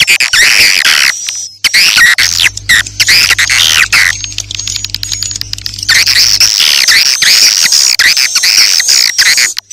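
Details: Edible-nest swiftlet lure sound for a new swiftlet house, meant for morning, midday and night use: dense harsh twittering chirps with a steady thin high tone running above, briefly backed by a low hum in the middle.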